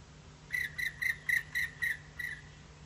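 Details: Woodpecker calling as it flies by, 23 June 2017 at 14:50: seven clear, ringing notes in an even series, about four per second, over a faint low hum.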